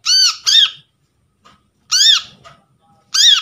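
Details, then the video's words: Captured brown-throated sunbird's lure call, for drawing birds in and getting silent sunbirds to call: a sharp, harsh double note, then two single arched squawks spaced about one and a half seconds apart. "PANCINGAN BURUNG KOLIBRI KELAPA"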